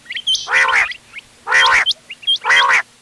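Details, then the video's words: Quail calls mixed for hunting, recorded 31 October 2025: three harsh, nasal, buzzy bursts about once a second, each with short sharp rising whistled notes before and between them. "بٹیروں کی مکس آواز quail bird sounds for hunting bater ki awaaz"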